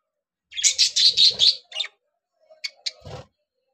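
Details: Caged budgerigars, three pairs just starting to breed, let out a loud run of rapid, harsh chirps for about a second, then a few sharp, isolated tweets and a soft thump.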